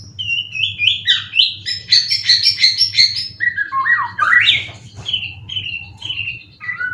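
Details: Competition-ready caged white-rumped shama from Indonesia, winner of twelve contests and about three moults old, with song material full of cililin. It pours out a rich, fast run of varied whistled notes climbing and falling, then slower slurred phrases.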